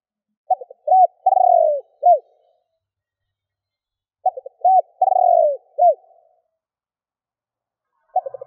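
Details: Spotted dove calling to provoke other doves. Its pattern of stuttered short coos, a long falling purr and a closing coo repeats roughly every four seconds in clean silence, and a third phrase begins at the end.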